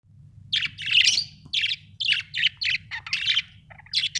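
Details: Australian budgerigar chirping: a run of short, harsh, buzzy chirps in quick bursts, some scratchy and some squeaky, spaced irregularly with brief pauses, over a faint low hum.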